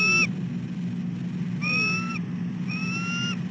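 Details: Early-morning calls of a female bald eagle at her nest tree, seeking an egg-sitting shift change; three clear upward-bending whistles, the first clipped short, spaced about a second apart over a low drone.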